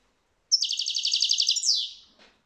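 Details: European goldfinch, recorded in 2022, giving a single rapid buzzy trill lasting over a second that ends in a descending slurred note, high and tinny, with silence around it.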